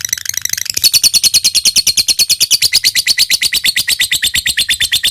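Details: Lovebird in lively song, its long ngekek chatter used as a lure recording to prompt other lovebirds to answer: a softer ragged start, then shrill, high chattering notes repeated rapidly, about eight each second, in one long unbroken run.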